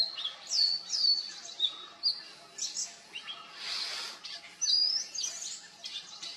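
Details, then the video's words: Oriental magpie-robin singing with vocal mimicry of other species such as juvenile Black-naped Oriole and Black Drongo: high whistled and slurred notes mixed with harsher churring phrases over a noisy outdoor background. "Mind-Blowing Vocal Mimicry of the Oriental Magpie Robin"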